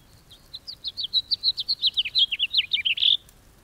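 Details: Bright House finch song of about twenty-five short, sharp notes in a fast run that grows more jumbled and ends with a burry, buzzy final note, clean background.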